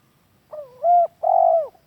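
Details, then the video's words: Spotted dove lure call for training doves kept at home: two low coos, the first rising with a soft lead-in, the second steady then falling, in a quiet setting. "Suara Pikat Tekukur cocok jadi Masteran"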